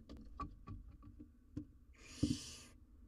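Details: A wild barn owl owlet on a live cam wrestling with a big jird: a series of scratchy taps and scuffles, then one breathy, harsh hissing screech lasting under a second.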